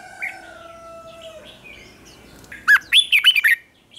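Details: Red-whiskered bulbul practising its morning contest song: long thin whistles from other birds fade out, then a loud phrase of five swooping, rolling notes in quick succession.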